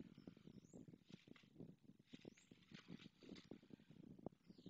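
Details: Nest greeting between a pair of white storks at Madrigal de las Altas Torres, the male returning to the female and their two eggs; steady, hollow clacking bursts in rapid series, softer in level, with a few thin high chirps above.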